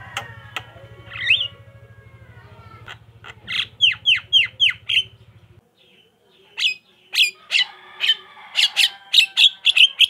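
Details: Javan myna (jalak kebo) chatter played to get other mynas calling: rasping notes over a low hum, a burst of descending squawks, then sharp repeated harsh chirps and whistles.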